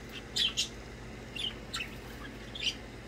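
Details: Playing pet budgerigars give quick chirps: a loud paired squeaky note early, then several softer warbled chirps and a final bright chirp, over a quiet room hum.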